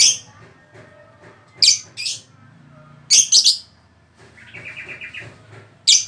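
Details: Lovebird uttering loud, high, scratchy chirps in single and doubled bursts at irregular intervals, with a quick run of softer twittering notes near the end and a low background hum.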